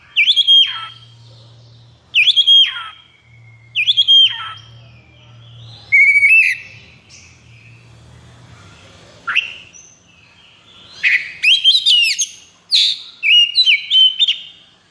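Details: Caged white-rumped shama in high breeding condition: repeated short whistled phrases ending in downward slurs every two seconds, followed by longer, busier bursts of chattering whistles; a low hum runs underneath.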